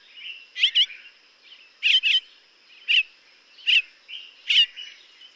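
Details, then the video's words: A Violet-backed Starling (Cinnyricinclus leucogaster) in Kruger National Park gives short, buzzy, slurred chirps, often in quick pairs, about once a second, over a steady high hiss of insects. "Violet-backed Starling (Cinnyricinclus leucogaster) Bird Call"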